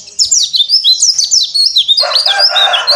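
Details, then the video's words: Oriental white-eye singing open-beaked on a terrace: a rapid, high, twittering run of thin slurred chirps, continuous and loud, joined by a denser, harsher warbling layer in the second half. "PLECI DAKBAL BUKA PARUH Di Teras"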